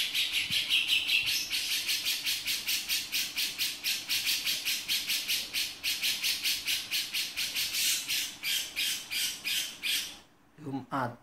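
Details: Male grey-cheeked bulbul giving its 'beset' song: a long run of harsh, rasping, broadband notes, about two and a half per second, that fade slightly before a brief gap and a short burst at the end.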